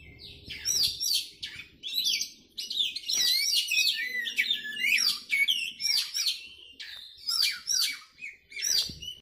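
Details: Oriental magpie-robin pouring out loud, varied song: sweet whistled slurs, quick chirps and scratchy trills delivered in dense bursts with brief pauses between, in a quiet setting.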